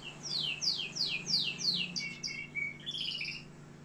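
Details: Algerian canary singing a series of about six loud descending swept whistles, followed by a long rapid trill and buzzy rattling phrases.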